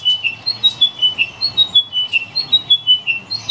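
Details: Chiming wedgebill at Currumbin Wildlife Sanctuary (dated 140516) repeating a short phrase of clear, ringing whistled notes, the same chiming pattern returning about once a second over a faint low hum.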